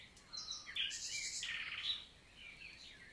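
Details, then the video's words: Common nightingale singing in daytime on a June 2023 summer morning, Célé valley, Lot, southern France: brief loud buzzy and rattling bursts with a whistled note, then softer distant warbling. "NIGHTINGALE MORNING SONG"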